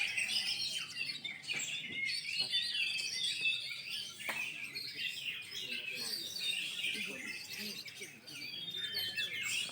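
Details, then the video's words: Oriental magpie-robins singing at a 2020 songbird competition held during the pandemic: a dense, continuous tangle of high whistled phrases, rapid trills and chattering notes from several caged birds, with people talking quietly underneath. "Lomba burung Kacer 2020 | Kacer gacor"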